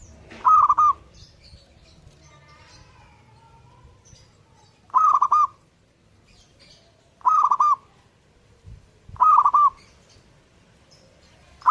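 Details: Zebra dove singing actively: short rolling, stuttered coo phrases, each about half a second, repeated at irregular gaps of two to four seconds, with faint high chirps from other birds between phrases.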